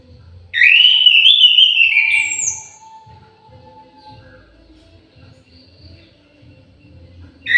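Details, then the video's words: Orange-headed thrush singing in an aviary: a sweeping, rising phrase that breaks into fluty warbles and thin high squeaks for about two seconds, then a pause and the start of the next phrase. "KICAU MERDU BURUNG ANIS MERAH"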